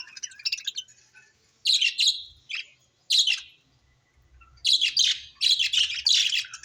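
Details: Pet budgerigars indoors calling in short bursts of high, scratchy chirps and warbled squawks, separated by brief quiet gaps.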